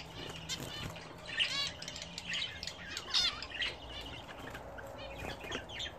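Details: Budgerigars kept at home, heard while bathing: quieter warbling chatter with buzzy squawks and short whistles, several birds overlapping, plus a low background hum.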